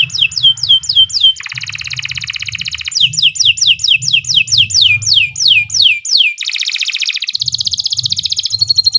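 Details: Canary singing with great speed: bursts of descending whistled sweeps alternating with buzzy rolls and a fast pulsed trill at the end, low hum underneath.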